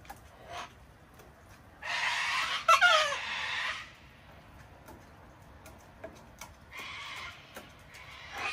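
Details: Wild cockatoos visiting a deck in Australia to be hand-fed during cold, wet winter weather give a drawn-out grating screech lasting about two seconds, later a quieter harsh screech, with small clicks and taps between.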